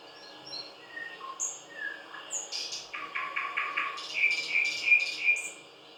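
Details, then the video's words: Thrush nightingale, whose song is powerful and varied with unhurried phrases separated by pauses, delivers varied whistled notes followed by rapid series of repeated clicking notes at differing pitches, with steady background hiss. "Соловей поёт / Восточный соловей"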